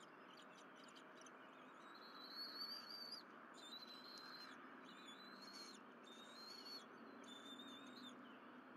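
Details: Bald eagles on a nest at Berry College on 12 April 2023, the mother delivering fish to the young eagle and all three feeding. High thin whistled calls with bright upper harmonics, rising slightly and repeated in bursts, over steady broadband background noise.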